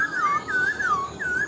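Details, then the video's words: Wild-caught adult black-throated laughingthrush, caged about four months and about 70% tame, singing for the first time at its new home and not yet fully confident: clear, rich whistles rising and falling in smooth arcs, three phrases in under two seconds. "Khướu bạc má mộc dở chim già rừng, hót tốt giọng hay"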